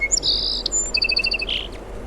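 A sparrow gives high, bright chirps, then a quick run of about eight even, tinkling notes and a final buzzy twitter, all in about two seconds.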